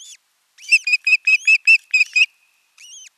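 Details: Osprey pair alone at their Finnish nest for the first time, 6 June 2023, in Satakunta; a short burst of rapid, bright chirped whistles, about seven in a row, with lone notes before and after.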